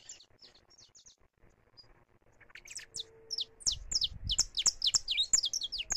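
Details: Saffron finch singing at liberty, recorded live: a few thin notes at first, then the song builds after three seconds into fast, repeated falling chirps running to the end over a brief low rumble.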